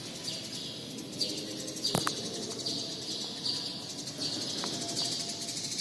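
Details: Sparrows chirp inside a badminton hall in short, high, repeated notes, roughly once a second, over a steady background hiss in the large echoing room.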